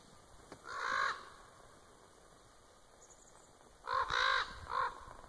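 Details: Common raven in Winlock, Washington, recorded 3-10-2017, after approaching to investigate and then flying off. One hoarse, harmonic croak near the start, a pause, then three quick croaks in succession, over a quiet rural background.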